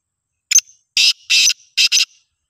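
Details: A single black francolin, heard making varied calls, gives a harsh, grating call: a clipped opening note, then two longer rasping notes and a quick closing pair, all within about two seconds.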